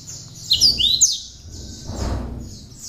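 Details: Hand-reared cinereous tit singing ciblek-filled song for training other birds; loud, high sliding whistles early on, then a brief broad rustle of noise and a softer high warble.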